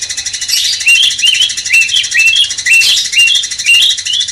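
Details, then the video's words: Master song of the sooty-headed bulbul aimed at rousing a magpie-robin, a lively series of short, clipped whistled notes repeated about twice a second, with occasional rasping bursts and a steady high buzz. "Masteran cucak cungkok bangkitkan emosi kacer"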